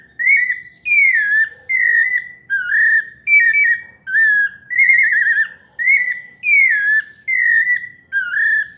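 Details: Steady series of slurred, clear whistled phrases, roughly one every two-thirds of a second, from a pale-breasted thrush in melodious paulista-style song.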